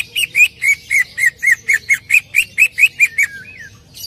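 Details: Greater green leafbird song played to make another leafbird sing: a steady series of about fourteen clear whistled chirps, roughly four per second, closing with a soft falling slur and a brief high note.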